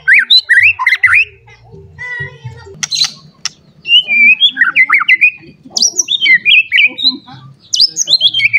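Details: White-rumped shama, worked up and looking for a rival, pours out a busy song of twisting whistles, squeaky chips and a brief buzzy rattle, with continuous high phrases after a short pause.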